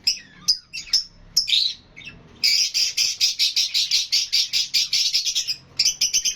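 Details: Lovebirds chirping and calling. Scattered sharp, shrill chirps open the recording. A dense run of rapid, rasping high notes follows, several per second, then a brief pause and another quick burst of shrill notes.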